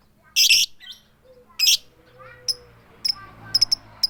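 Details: Female lovebird calling the male, "tik tik keyok" without chatter: two loud, harsh squawks, then a few thin, high ticks trickling out against a quiet background.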